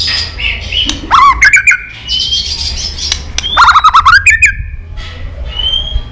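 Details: White-rumped shama hen calling in 'tạch líu' style to provoke males into fighting: clustered clicks and harsh chattered notes, two busy bursts with softer whistles between.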